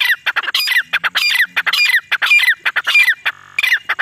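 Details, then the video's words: Grey partridge female, calling in jungle as a hunting lure, gives continuous loud raucous notes, harsh and rasping, in quick rhythmic phrases that run without a break through the whole stretch. "Desi teetar madi ki Shikar wali voice"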